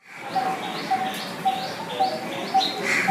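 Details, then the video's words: A Coppersmith Barbet, a small green bird with a crimson forehead, gives its metallic tuk notes, about two per second and evenly spaced like a hammer beating copper, with faint other birds behind. "that's the sound of Coppersmith Barbet."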